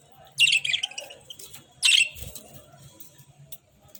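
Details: Budgerigars perched on a hand while eating food give two short bursts of bright, harsh chirping, separated by quiet pecking and handling noises.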